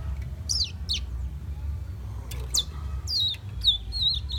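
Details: Young fire red whistling in Guyana, South America: two falling high chirps, a pause, then a bright swooping note and a quick run of wavering whistled notes, low hum throughout.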